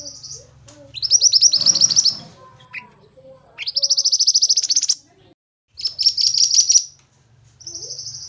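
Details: Loud pied bushchat song for training: a short buzz, a rising rapid trill over a brief noisy rustle, a second pulsed trill, a choppy burst and a closing even buzz, with soft low chirps between.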